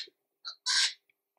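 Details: Little wattlebird in Australia gives a short nasal note, then a loud, harsh, rasping squawk lasting about a third of a second. No other sounds.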